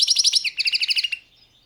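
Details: {'caption': 'European goldfinch, subspecies balcanica, giving a short rapid trill of about a dozen evenly spaced metallic notes that drops slightly in pitch halfway through and then stops.'}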